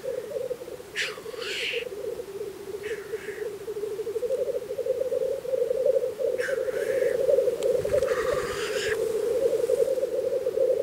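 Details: Lekking black grouse in spring, Russia: a steady murmuring, bubbling chorus carries on beneath several sharp hissing sneezes, some short and some drawn out into rising whooshes.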